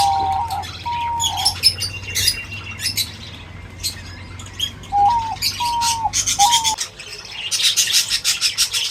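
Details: Birds at feed: flat whistled notes, some dipping at the end, mixed with busy high chirps and squawks; the chirping grows denser toward the end over a low hum.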